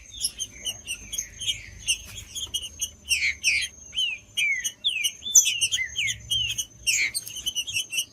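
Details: Green-winged saltator singing, used as stimulating audio for a cold bird: repeated downswept whistles and looping slurred phrases, densely mixed with fast ticking chirps and a steady high thin tone.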